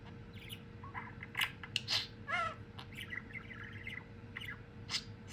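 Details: A male pet budgerigar chatters in quick, scratchy whistles and warbles, with bursts rising and falling in pitch, whistling and saying his name.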